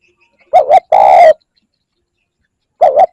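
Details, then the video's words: Spotted dove coos, played to lure other birds: a quick doubled coo, then a longer steady coo, a pause of about one and a half seconds, then another doubled coo. Deep, hollow tones, otherwise silent. "Tiếng chim cu gáy kích bổi"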